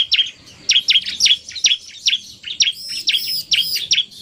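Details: Male bar-winged prinia singing in narung style together with a fast female, giving rapid, bright, downward-flicking chirps in clusters, later joined by looping high whistles.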